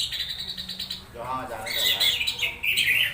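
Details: Orange-headed thrush (anis merah) uttering odd sounds during conditioning: a soft low warble gives way to loud, buzzy, high chattering notes that continue to the end.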